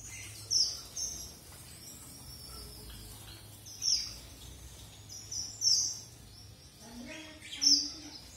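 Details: Red avadavat uttering high, thin, piping notes in brief clusters spaced a second or more apart, with quiet pauses between and faint low background hum.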